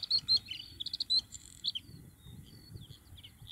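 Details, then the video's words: Bluethroat recorded in June 2021, opening with a loud burst of sharp, metallic chirps and clicks in quick succession, then quieter thin whistles and scattered notes after about one and a half seconds, over a soft low background hum. "GORGEBLEUE à MIROIR - Chant d'Oiseau"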